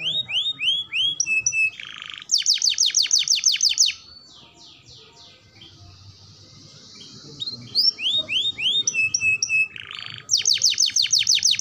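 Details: Vigorous canary song used to train young and adult canaries: bursts of rapid falling sweeps and dense buzzy trills separated by a few seconds of near silence, then the sequence repeats.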